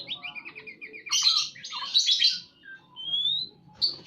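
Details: Singing white-rumped shama in breeding condition: a quick descending series of chirps, dense buzzy bursts, then a clear rising whistle and a final high note, low hum underneath.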